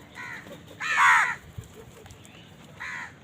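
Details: A crow eating among others gives one loud, drawn-out hoarse caw, framed by fainter caws before and after, with light background noise and a soft thump.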